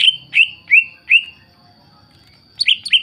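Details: Greater green leafbird song, played to provoke other leafbirds to answer and sing: loud, clear whistled notes sliding downward, four in a row, then a pause and a quick pair of similar falling whistles.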